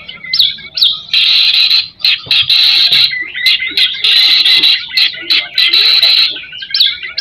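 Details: White-rumped shama in loud 'gacor' lure song: harsh, buzzy rattling phrases interrupted by short upslurred whistles, delivered in rapid, forceful bursts.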